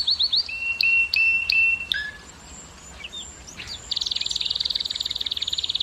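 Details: Canary song for prompting females to mate: clear whistled notes repeated in pairs, a few scattered chips, then a rapid, very even high trill from the fourth second onward.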